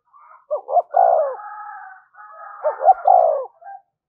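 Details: Thúc gù calling of a spotted dove, used as a lure for wild birds, in two phrases of paired quick notes and a drawn-out descending coo, with a second dove cooing faintly behind.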